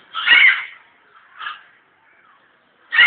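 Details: Captive African grey parrot at the zoo in Alipore, Kolkata, India: two harsh, raspy squawks about two and a half seconds apart, with a softer, shorter squawk between them, against a quiet background.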